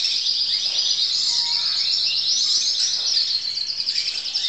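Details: High rolling trills from a crested canary student recorded in 2012, a steady stream of rapid, repeated chirp units with little variation in pitch.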